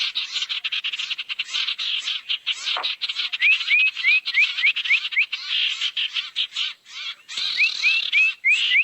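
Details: Barn owl lure sound meant to draw owls in: sustained harsh hissing screeches pulsing rapidly, with two series of short rising whistled notes, about five each, in the second half.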